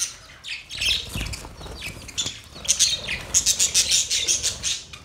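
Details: Budgies with a mating sound: quiet scratchy chatter at first, then a rapid run of loud, evenly pulsed high chirps in the final two seconds.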